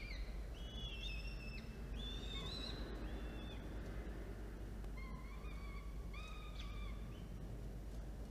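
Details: Falcon at a nest during feeding on 13 October 2022, prey supplied by the male for two chicks. Sparse, thin, level whistled calls in short bursts, separated by pauses, with a steady low rumble throughout.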